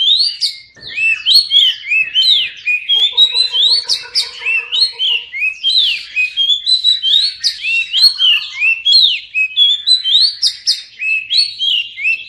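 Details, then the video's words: Continuous, varied oriental magpie-robin song intended to make mute birds sing: dense chains of bright whistles and chirps throughout, with a steady low tonal whine underneath for about two seconds early on. "Kacer pasti nyamber dan gacor klo dengar ini"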